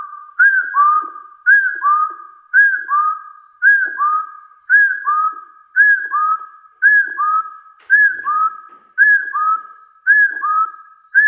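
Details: Repeated rival-challenging whistles of a hill partridge, a high looped note then a lower held one, about ten pairs at a very regular one-per-second rhythm in otherwise silent surroundings.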